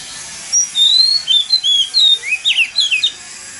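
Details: Oriental magpie-robin in Vietnam singing a lure song meant to prompt other magpie-robins to sing: a varied run of clear whistled phrases, some rising and some falling, closing in quick, buzzier notes.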